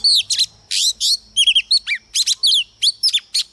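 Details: Female Oriental magpie-robin used as a lure, singing to provoke males: rapid bursts of clear whistled notes, sweeping and slurred, some stacked in quick trills, with a steady high insect-like hum beneath.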